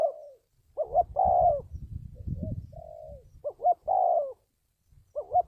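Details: Spotted dove, recorded for training decoy birds for trapping: mellow, hollow coos in short phrases, a quick double note followed by a longer drawn-out coo, repeated after brief pauses, with faint low rumbling beneath.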